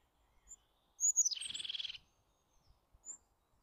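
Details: Eurasian jay: one call starting as a high thin whistle that sweeps down into a grating, fast-pulsed buzz of under a second, with quiet soft notes around it.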